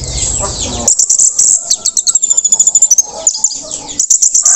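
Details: Orange-headed thrush just out of moult, giving teler-style song: a rapid string of very high, thin chips and ticks, about a dozen in quick succession, with softer fragments below.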